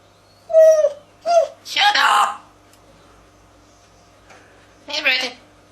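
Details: African grey parrot born in 1999, indoors in a small room, mimicking human speech from its large repertoire: four short voiced, word-like bursts with a whistled tonal edge, the loudest a broad harsh syllable, separated by quiet pauses.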